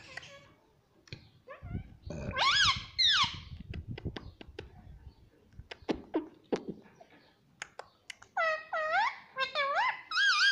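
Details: Talking pet parrot, said to call "mummy", gives rough voiced syllables and scattered sharp clicks, then a run of repeated wavy, nasal, rising-falling harmonic calls near the end.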